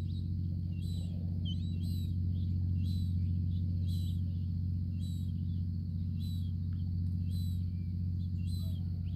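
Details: Gull chick persistently following its mother, begging to be fed; thin high peeps repeated roughly every half second to second throughout, over a loud steady low hum.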